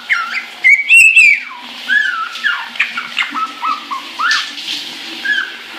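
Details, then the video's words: Happy caique singing in the shower, opening with a loud rising whistle, then a string of shorter falling whistled notes and soft chatter against constant shower water hiss. "Caique Shower Song"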